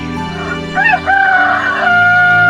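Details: Rooster crowing once, a drawn-out harmonic crow that dips, breaks, then holds a long level tone to its end, set over steady background music playing throughout.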